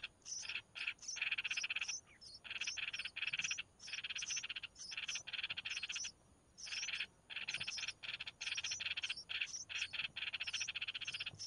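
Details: Red-whiskered bulbul young being fed by the mother, producing a long series of harsh, buzzing begging bursts in short clusters, with high piping squeaks repeated throughout and short silent gaps.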